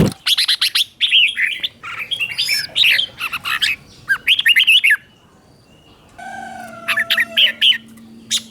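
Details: Red-whiskered bulbul master song in the doubled 'เบิ้ล' style, played for young birds to copy. Quick bursts of bright, warbling, up-and-down notes come in clusters. A short quiet gap is followed by a low steady hum, then more phrases.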